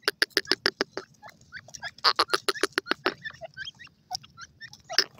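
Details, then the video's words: Loud harsh calling of a grey francolin, the Canadian grey teetar: rapid rasping notes about three per second in two series, with lively twittering of smaller birds filling the gaps. "canadian grey teetar ki awaz,gray francolin bird ki calling"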